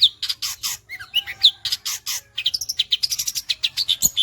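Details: Caged long-tailed shrike in full song, a fast burst of harsh buzzy notes mixed with short whistled slurs, delivered in dense, choppy phrases at high pitch with barely a pause.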